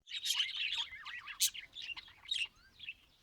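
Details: Captive budgerigars kept for breeding give a busy, high chattering warble of overlapping chirps, squeaks and short whistles, with louder sharp notes standing out.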